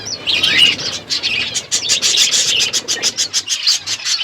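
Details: Parrot at its food on February 25, 2024: a couple of clear whistled notes open, followed by evenly spaced bursts of chirps, roughly three per second, against a steady chattering background.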